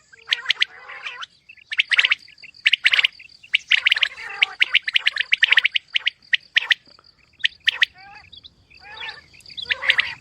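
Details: Calling female common quail, mixed calling: rapid clusters of grating, crackling notes, some clusters longer and buzzier, spaced irregularly over ten seconds, with a continuous faint electronic-sounding whine in the background.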